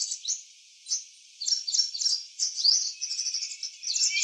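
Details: A purple sunbird in eclipse plumage sings in a garden: scattered short high squeaky bursts with gaps between them, then a denser string of thin, quick twittering notes.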